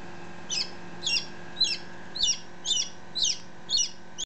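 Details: Chick only ten minutes out of the egg, heard close up with a one-day-old companion; seven shrill, slightly buzzy peeps spaced about half a second apart, each sliding downward, over a quiet hum.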